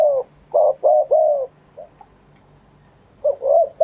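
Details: Spotted dove cooing live in a wild-style phrasing. Two low, mellow coo phrases are separated by a pause, each a short note, a slurred middle note and a longer drawn-out coo, with a faint extra note between them.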